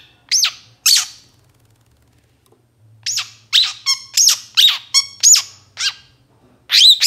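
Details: Long-tailed shrike in moult, its energetic song used as a lure for kept birds: sharp, high squeaky notes, first in isolated pairs and then in a quick jumbled run of squeaks and harsh chips after a silent gap.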